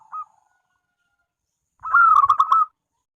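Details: Local zebra dove in active song, front voice: a faint brief coo, a pause of over a second, then one loud, rolling, burry phrase of quick cooing notes.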